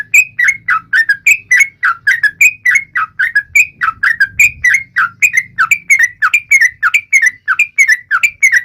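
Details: Rival-taunting song of a yellow-vented bulbul, an unbroken rapid string of clipped, falling whistled notes, about three per second, varying slightly in pitch, with a soft low rumble in the background.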